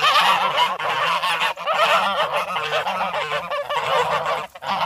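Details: A flock of geese honking in a loud, unbroken racket, with harsh, rasping calls piled on top of each other throughout and only one short dip near the end.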